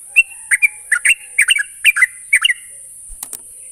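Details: Sooty-headed bulbul song played as a lure to spur untrained birds into singing: paired bubbly whistled notes repeated roughly every half second for over two seconds, then fading to faint clicks, over steady hiss.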